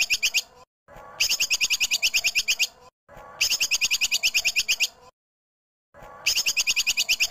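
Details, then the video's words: Clean masteran training mix pairing a female cucak kinoi with tupai kekes squirrel sounds: bright, fast-pulsed chirping phrases roughly 1.5 seconds long, repeated with short silent breaks between them. "KOMBINASI CUCAK KINOI BETINA vs TUPAI KEKES MASTERAN JERNIH"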